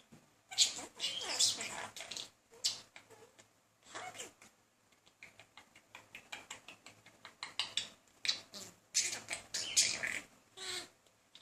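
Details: Indoor pet budgerigar, a male courting a female, keeps up a long stream of chatter: quick clicking ticks mixed with raspy warbled phrases, irregular and mostly high-pitched.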